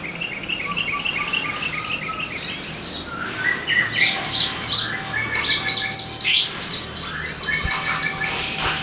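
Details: Sogon bird lure song for caged birds: a rhythmic series of repeated mid-high notes, then an energetic jumble of fast high chirps and trills.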